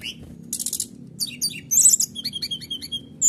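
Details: Canary with a provoking song used to stir other birds: fast buzzy bursts, sharp chips and rapid repeated trilled notes.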